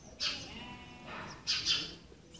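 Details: Sparrow family recorded in June 2020 while the young are being fed: a few short, high chirps in two bursts, the second a quick double note, over faint background hiss.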